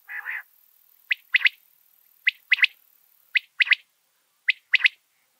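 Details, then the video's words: Quail, species unstated (king, rain, common or button quail are listed), repeats a sharp, liquid three-note phrase, one note then a quick pair, about once a second, after a brief rasp at the start. "King Quail| Rain Quail |Common Quail | Brown Quail | White Quail | Bush Quail | Button Quail sounds"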